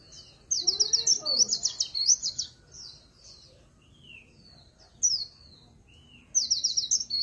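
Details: Swinhoe's white-eye in líu pha chòe song: an opening run of rapid high trills, scattered thin slurred whistles, then a closing burst of quick twittering, with a faint low sweep near the start.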